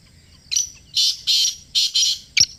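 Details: Close-range black francolin, known locally as kala teetar, in Pakistan: a rhythmic run of four coarse, buzzy rasping notes ending in a short sharp click, with little other sound around.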